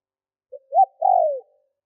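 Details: A lone phrase from a lure spotted dove used to provoke wild birds: a soft short note, a louder clipped coo, then a long drawn-out coo sliding gently downward.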